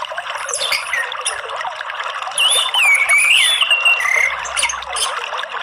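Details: Orange-headed thrush singing in the morning, used as a lure to stir other birds into song: a loud, varied whistled phrase sliding up and down for about two seconds, set against a dense hiss of chirping and trickling background sounds.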